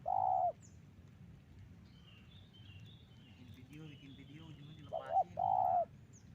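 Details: Used as a trapping lure, spotted dove calling: a long mellow coo opens, faint chirps of other birds follow in a quiet gap, then a quick double coo and another long coo.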